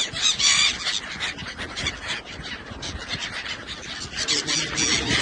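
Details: Seagulls in Oman give harsh, squealing calls with bright layered overtones, a loud burst in the first second and more near the end. Steady rushing noise, possibly waves or wind, fills the background.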